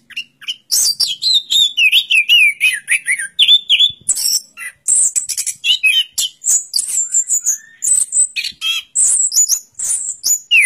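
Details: Loud, continuous song from an orange-headed thrush, a zigzagging descending warble followed by many rapid, very high squeaks, trills and whistled notes packed closely together for over ten seconds.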